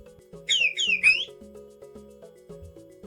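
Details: Chick peeping, played for children to recognise: three quick, high, downward-slurring peeps in a row, over a steady background of gentle electronic music.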